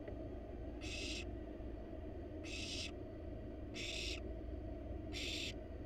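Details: Wild barn owls in a research nest box, parents arriving with a rat for nestlings; four rasping hiss bursts under half a second each, spaced about 1.5 seconds apart, against a continuous low hum.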